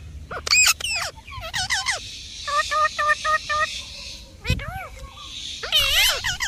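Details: Parrot chirping and squawking, including a steady series of short repeated notes in the middle, with a few sharp harsh calls before and after.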